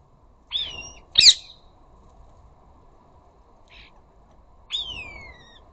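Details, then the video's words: Flock of rose-ringed parakeets at a garden bird feeder, sometimes chattering or arguing: a harsh rising call, a sharp explosive squawk, a faint brief note, then a long screech sliding downward, with quiet gaps between. "Flocks of Ring necked parakeets."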